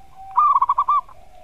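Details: Champion zebra dove in a master recording meant to provoke rival doves into answering. It gives a short phrase of about six rapid, rounded coo notes in a mid-pitched staccato burst over a faint steady hum.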